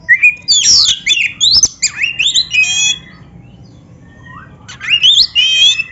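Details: Oriental magpie-robin (kacer), black-breasted type, song played to make caged birds sing: loud varied phrases of squawky and whistled notes, rich harsh bursts and slurred whistles, a pause, then another burst.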